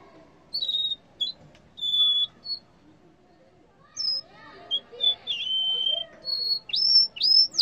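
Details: Yellow canary song with spaced, pure high whistled notes, some steady and some gliding, given in short bursts separated by pauses, then quicker upward-hooked whistles near the end.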